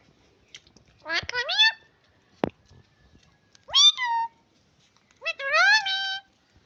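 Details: Talking parrot kept as a family pet: three clear speech-like phrases of rising, harmonic syllables with quiet gaps between them and a single sharp click near the middle.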